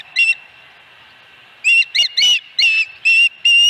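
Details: Osprey calling from its nest at Dunrovin Ranch, 26 August 2020: one sharp whistle, a pause, then six quick, piercing whistled notes in an uneven run.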